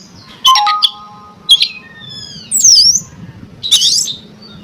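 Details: Oriental magpie-robin song used to provoke rival magpie-robins to sing: squawky opening notes, long steady whistles, then a bright arching phrase and a harsh burst, with a faint low hum beneath.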